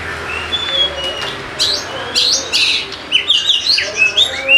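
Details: Kacer, the Oriental magpie-robin, singing as a lure for lazy birds: high sharp chips and rising sweeps at first, building into a fast chattering run of varied whistled notes.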